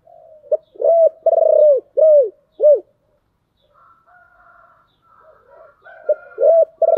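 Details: Decoy spotted dove with a deep 'thổ đặc' voice luring wild doves: a quick run of low, arched, slightly rolling coos, a pause with faint higher chatter, then another burst of coos.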